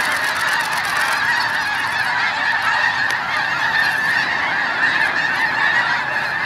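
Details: Snow geese taking off early in a big flock at Hagerman NWR: loud, unbroken wall of overlapping honking yelps, steady throughout, with faint wing noise early on.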